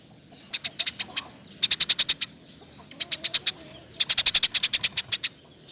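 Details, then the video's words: Eurasian tree sparrow singing constantly in rapid 'roll tembak' style, recorded as master song for training songbirds. Four dense bursts of six to ten sharp, high chirps follow one another with brief pauses. "Burung gereja gacor. Roll tembak pas untuk masteran"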